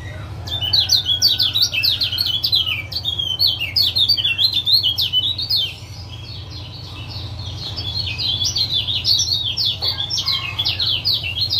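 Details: Lemon-bellied white-eye male from Lombok with 'ciak ciak' calls to get a silent caged male singing again: dense, rapid high twittering chatter, loud for six seconds, then slightly softer but continuing; low steady hum behind.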